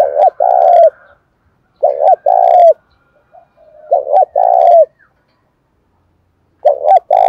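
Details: In July's rainy, windy season, a spotted dove is stirred up to fight. Its low coo phrases come roughly every two to three seconds, each a quick double note and then a drawn-out falling coo, over a faint higher hum.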